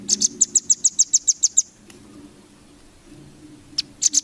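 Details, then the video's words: Velvet-fronted nuthatch song used to train competition birds: a quick run of about ten bright, high, evenly spaced chips, then quiet, then a few more sharp notes at the end. "MASTERAN RAMBATAN FULL BESET 2025"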